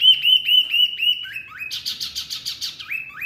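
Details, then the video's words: Masteran for caged songbirds like murai, kacer, cucak ijo and jalak: clear, pure whistles repeated evenly, then harsh buzzy notes in a rapid series, closing with upslurred whistles. "Masteran burung Murai, Kacer, Cucak ijo, jalak, pasti NYAUTTTTT"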